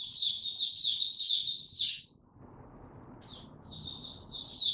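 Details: Singing white-eye, no health supplements given, 29 April 2022: a rapid high warbled twitter, a short break with low background hum, then more chirpy trilled notes.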